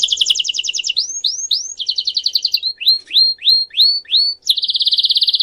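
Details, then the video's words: Canary song-training recording: fast buzzy trills alternate with runs of rising whistled notes, about four per second, ending in a rapid rolling trill. "ENTRENAMIENTO DE CANTO PARA CANARIO"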